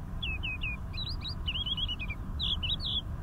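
Crested lark singing a quick run of clear, slurred whistles, rising and falling, with fluty notes near the end over a low wind rumble.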